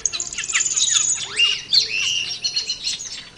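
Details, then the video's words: Cucak keling in the wild giving quick, rough chattering notes and downward-sweeping squeaks, closely spaced and overlapping for the whole stretch. "Suara Burung Cucak Keling di Alam Liar"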